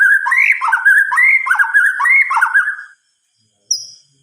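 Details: White-rumped shama (murai batu) at night, delivering repeated rolling whistled phrases that rise then drop, ending after about three seconds, followed by a single thin high note.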